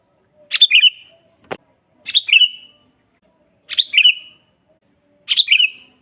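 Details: Vigorous sooty-headed bulbul song used for training birds to sing: four bubbly phrases with a falling whistled tail, about every one and a half seconds, plus one sharp click between the first two.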